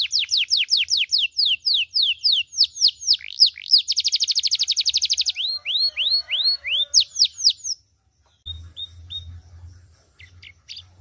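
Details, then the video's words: Canary singing vigorously with a loud, varied, melodious voice: sweeping downslurred whistles, a dense buzzy trill, then rising and falling slurred notes; after a pause, a few faint chips over low rumble. "Suara Burung Kenari Gacoorr"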